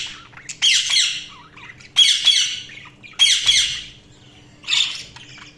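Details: Budgies giving four loud, harsh chirping squawks about a second apart, each tailing off, over a faint steady low hum.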